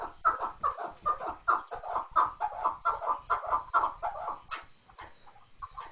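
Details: Repeated hoarse clucking from a chukar partridge, fast and somewhat uneven, the notes coming about twice a second before fading near the end.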